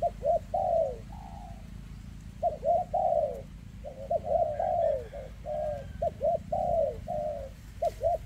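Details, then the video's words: Spotted dove, a 2024 standout bird with a leg tremor, gives very dense 'kèm rước' cooing: clusters of short sharp notes and sweeping falling coos, a brief pause near two seconds, steady low drone behind. "Chú Chim Có Tặt Có Tài , Siêu Phẩm 2024 Kèm Rước Siêu Dầy ( Chim Bị Rẩy Giò )"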